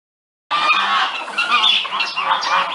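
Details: Geese calling early in the morning: a dense chorus of harsh, nasal honks from several birds at once, overlapping without pause after a brief silence at the start.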